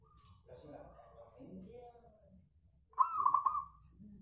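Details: Local zebra dove, used as a lure to make other birds sing: muffled, murmuring voice-like sounds first, then one loud burst of rapid, rolling, staccato cooing notes near the end.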